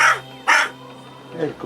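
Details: A very young rescued female crow, whose throat was damaged by a cat, gives her first sounds: two harsh, raspy caws about half a second apart, followed by soft human voices encouraging her.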